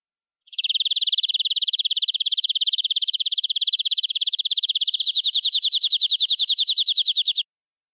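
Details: Local forest-origin canary in a full tutor song: a sustained rolling trill lasting about seven seconds, becoming slightly more spaced and pulsed toward the end before it stops, with no background noise.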